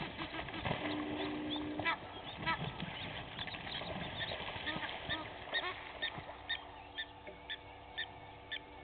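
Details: Two Egyptian goose families fighting at a waterhole on Djuma Game Reserve, Sabi Sand, South Africa, early morning; jumbled harsh honks and splashing give way to spaced, regular honks in the second half.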